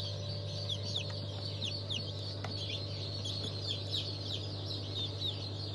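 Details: Freshly hatched chicks of mixed breeds including Legbar, from a 27 March 2023 hatch. A busy chorus of rapid, downslurred peeps repeats several times a second, layered over a strong low machine hum.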